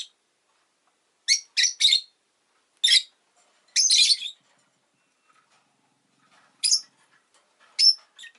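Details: Sharp, raspy chirps from a rosy-faced lovebird come in quick clusters of two or three, then a longer grating call, then scattered single shrieks after a quiet pause. Faint background noise is heard in the gaps.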